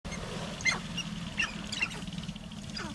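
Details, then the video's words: Two Sharp-tailed Grouse confront each other over space on their mating lek, giving four short, harsh downward-sweeping calls at uneven intervals over a steady low rumble. "Sharp tailed Grouse confrontation."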